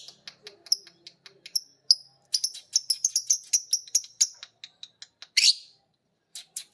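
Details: A biola green and a PB Piet lovebird learn ngekek together as a master recording plays. A quick run of thin, high, clicking chirps speeds into a dense chatter, then a harsh squawk and a few sharp ticks.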